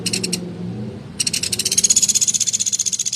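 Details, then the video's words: Woodpecker, local name pelatuk beras, producing a short rattle and then a sustained, evenly pulsed high trill lasting two seconds, each note sharp and dry, against quiet low background noise. "Suara Burung Pelatuk Beras Gacor Nembak Kasaran"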